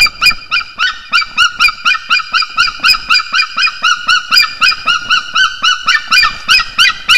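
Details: Pair of wild Estonian white-tailed eagles duetting on the nest tree just after mating, 6:56 am, 16 March 2021: rapid yelping calls, about four a second, steady and ringing, overlapping throughout.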